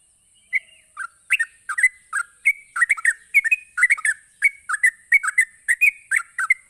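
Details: Sooty-headed bulbul giving a rapid 'ropelan' song meant to provoke other bulbuls into answering. Short, bubbly, slurred whistled notes rise and fall in quick bursts, about three per second, over a steady faint high hiss.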